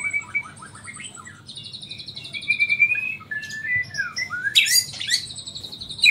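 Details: White-rumped shama, known as Murai Borneo, at Samarinda: song in nyangkul and roll tembak styles, with clear thin high whistles, rapid trills and slurred falling notes ending in loud, dense chattering bursts.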